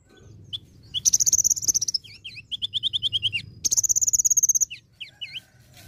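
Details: Active singing from an olive-backed sunbird packed with imitations: fast rattling trills of high notes, runs of evenly spaced lower chirps about six per second, and springy up-and-down whistles, all rapid and varied.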